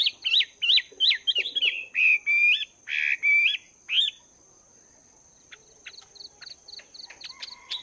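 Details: Wild-caught Chinese hwamei after two months in a cage, training its voice at morning: loud repeated looping whistles and slurred notes for four seconds, then softer regular high clicks and an occasional faint note.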